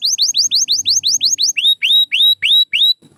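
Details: Pure white canary delivers a string of rising whistles, about six per second, then slower rising notes that flatten into held, clear tones.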